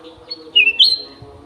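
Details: Golden-fronted leafbird kept in an aviary, giving a clear whistled phrase: a slurred note dipping near the middle, then a higher, brighter whistle, about half a second in all, over a faint steady hum.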